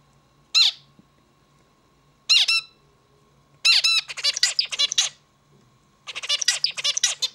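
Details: Two single nasal calls from a zebra finch lead into song phrases of fast, buzzy, harmonic notes tumbling in quick succession, with a pause between bursts and a soft hum underneath.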